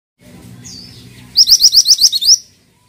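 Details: Pied triller singing actively: after a soft high whistled slur, a burst of about seven loud, sharp upslurred notes delivered rapidly over one second, with a faint low hum underneath.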